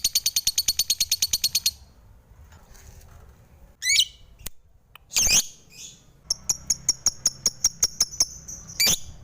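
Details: Lovebird sounds: a short burst of rapid high chatter, then a pause, sharp harsh squawks and a few quick high chips.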